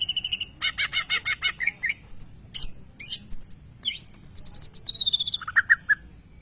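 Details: Greater green leafbird, a champion contest bird, singing a lovebird imitation: rapid runs of buzzy repeated chirps, then sharp high whistled notes and falling slurred phrases, varied and loud throughout.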